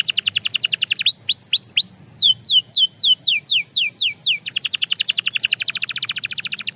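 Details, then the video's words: Belgian canary in full song: a rapid trill, three rising slurs, a string of loud descending whistles, then another very fast, dense trill, high and clear throughout. "The Most Effective Canary Singing Sound – Belgian Canary Edition"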